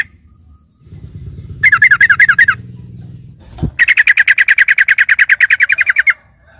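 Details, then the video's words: Yellow-vented bulbul (trucukan) filler song for a green leafbird: a short wavering warbled trill, a thump, then a long steady trill of evenly repeated clipped notes lasting over two seconds. A low hum runs underneath. "dengerin suara trucukan isian ini serasa bagai punya burung cucak ijo gacor"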